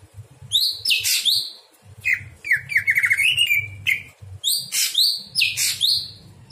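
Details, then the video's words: Greater green leafbird at night, singing as a tutor for other birds: bright descending whistles, a fast rattling trill of repeated notes, and harsh bursts, in lively overlapping phrases above low hum. "masteran cucak hijau di malam hari"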